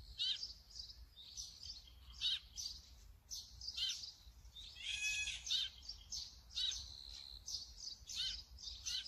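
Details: Brown-eared bulbul with sharp, clipped chirps repeated irregularly, a grating squeal in the middle and a sustained whistled tone, over faint low background hum.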